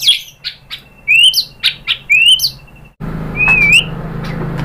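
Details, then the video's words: White-rumped shama, kept as a songbird, singing in a recording used to provoke other shamas into answering. Whistled upslurred notes and sharp chips come in bursts, ending in a smooth rising whistle over a background hum. "MURAI BATU jadi NYAUT BONGKAR MATERI TEMBAKAN cocok untuk PANCINGAN ¦ SHAMA BIRD"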